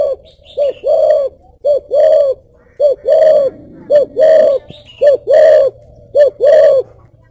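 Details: Spotted dove from a dove-keeping garden in Ba Vì, northern Vietnam, singing the 'thổ bầu có lèo' style: deep, hollow coos in repeated short-long phrases, about one per second, with faint high chirps from other birds.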